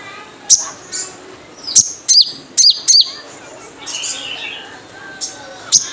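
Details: Characteristic wild sunbird call played as a lure: a run of sharp, high, down-slurred chips, several close together in the middle, with faint thin twitters behind.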